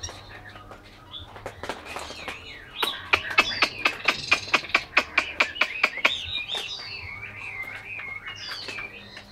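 A Chinese hwamei sings a loud, varied run of sharp clicking notes and rich whistled phrases, ending in wavering warbles, over a faint low hum.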